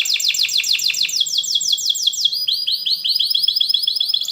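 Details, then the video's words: Singing canary, a tutoring song for juvenile canaries: loud rapid series of sharp descending chip-like notes, turning into a fast evenly repeated roll of curved high notes, continuous and dense throughout. "kenari gacor panjang Cuit Cuit EMOSI, Pancingan Kenari Paud Belajar Bunyi"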